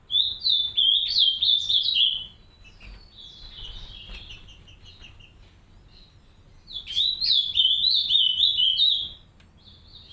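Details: Green-winged saltators in an aviary, a pair caring for three young; two bouts of rapid, high, jumbled chirping, each about two seconds long, separated by a quieter interval with faint notes.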